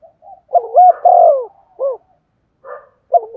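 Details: Spotted dove uttering urging coos meant to excite a decoy bird: faint introductory murmurs, then a loud doubled coo and a single rounded hoot, followed by softer fragments in a quiet setting.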